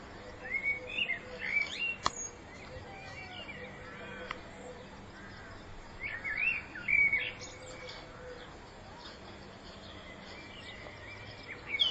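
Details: Common blackbird in spring 2014 delivering scattered fluted song phrases, melodious sliding whistles near the start and again midway, with long quiet gaps, a sharp click and steady faint background noise.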